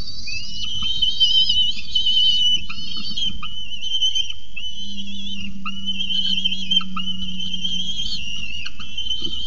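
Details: Hungry falcon nestlings clamouring for their evening meal on 26 October 2018: a nearly unbroken chorus of shrill, quavering screams, rapidly rising and dipping, with a low steady hum underneath partway through.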